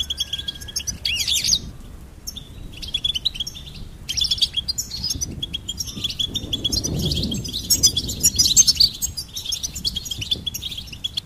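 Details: Goldfinch twittering steadily. Quick high chirps and buzzy trills come in bursts separated by brief silences, with a soft low hum behind.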